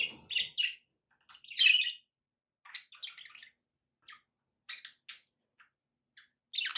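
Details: Pet budgerigars indoors giving short scattered chirps and warbled notes, bursts spaced irregularly with silent gaps, a louder squeaky chatter near the middle and a final burst at the end.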